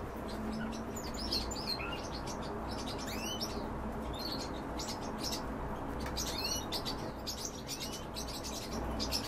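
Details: Bee-eaters of the European species call while feeding: clear arched, rolling notes repeated every second or so among softer chatter, over a low continuous rumble.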